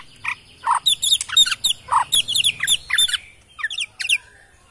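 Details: Wild-origin Borneo white-rumped shama from Kalimantan forest produces a busy stream of high chattering, twittering notes mixed with lower squawky calls over a faint low hum.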